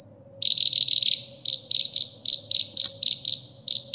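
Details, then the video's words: Kolibri ninja, the olive-backed sunbird, in a recording to train caged birds: a thin high note, then clusters of rapid chirps in short bursts, repeated about once a second, with a soft background hum. "suara isian burung kolibri"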